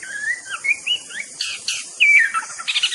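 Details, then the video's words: Varied, fluty White-rumped shama (murai batu) song of looping whistles, shifting pitch up and down, ending in louder harsher chattering notes, with insects hissing in the background. "bird nature sound murai batu"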